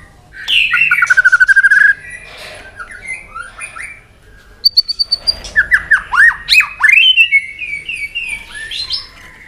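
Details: Trained White-rumped shama singing a tense competitive song after being provoked. A fast rattling trill leads into a pause, then a burst of varied sharp whistles and quick slurred phrases ends in a sustained piping note.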